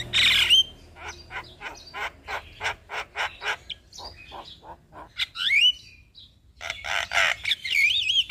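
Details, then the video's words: Javan myna singing as a lure for a quiet, stressed captive bird. A rough buzzy burst opens a steady series of short harsh notes, then twisting, warbled whistles and a final rasping phrase. "Terapi Jalak Kebo Malas Bunyi / Jalak Kebo Stres Gak Mau Bunyi - Pancingan Burung Jalak Gacor"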